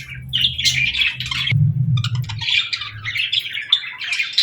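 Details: Flock of budgerigars at evening feeding time chattering in continuous scratchy warbles and chirps, with a low rumbling thud and rustle partway through.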